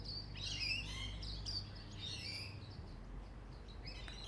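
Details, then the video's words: Backyard songbirds in Ballajura, Western Australia, give a lively jumble of high warbled and slurred notes, some rising and falling, densest in the first two seconds, over a low rumbling background. "Australian songbirds in backyard. (Ballajura WA)"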